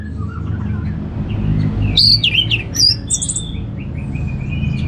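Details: An Orange-headed thrush sings ngeplong: quiet notes at the start, then after two seconds a loud run of high, swooping whistles and twittered phrases that fades into softer whistles, over a constant low rumble.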